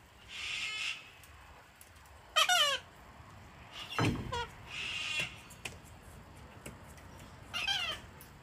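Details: Wild cockatoo flock taking over a deck in Australia while being hand-fed, cold and wet winter weather; harsh raspy screeches alternate with ringing, stacked squawks that drop in pitch, about six calls over eight seconds.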